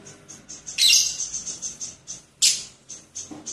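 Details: Lovebird with cililin-style song giving soft high chirps with two sharp, louder bursts of shrill chatter.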